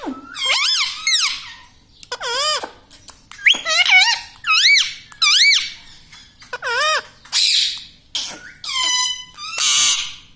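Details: Indoor pet parrot that talks, said to say mummy, papa and radhe radhe; a steady string of about ten loud squeaky syllables, each a quick dipping-and-rising wavering tone, spaced by short pauses.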